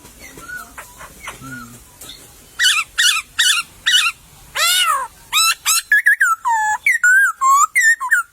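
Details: Wild white-crested laughingthrush in a bamboo thicket, song opening with faint calls, then a burst of loud chattering notes and a long arched squeal, ending in whistled notes that fall and rise.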